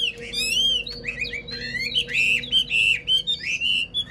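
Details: Wild-caught old Chinese hwamei, kept caged and praised for an excellent voice, singing a rich, fast run of loud, varied whistled phrases, slurred notes rising and falling with sharp chirps in between, over a steady low hum.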